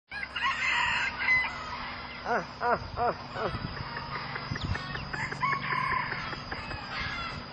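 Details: Zebra dove of a competition singing line, selectively bred for about 60 years from a wild mutation, sings a quick run of short arched cooing notes in its middle part, over scattered high chirps from other birds and a steady background hum.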